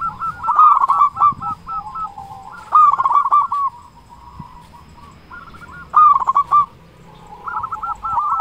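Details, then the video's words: Zebra dove of a local strain, singing often with a strong voice, used to provoke silent doves into song: four bursts of rapid, rolling coos recurring about every two and a half seconds, with quieter notes between. "Perkutut lokal gacor suara besar Pancingan burung perkutut agar cepat bunyi"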